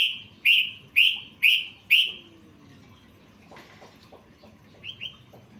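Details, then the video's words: Sooty-headed bulbul song for masteran songbird training, full of fill phrases: five loud, clear downslurred notes in quick, even succession, then a quiet gap with soft rustling and two fainter notes near the end. "Masteran trucukan full isian"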